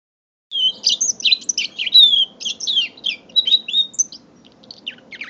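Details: A mule canary five months old sings a dense, varied warble of buzzy chirps and sliding whistles after a half-second of silence, then fades into scattered high notes; low hum in the background.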